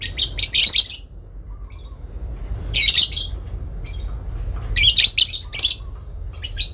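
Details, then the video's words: Mother lovebird calling in the ngekek style, responding to another bird: rough buzzy squawk bursts roughly every two seconds, each packed with rapid grating pulses, plus a few faint thin notes. "induk love bird ngekek panjang , saling nyaut memanggil lawan"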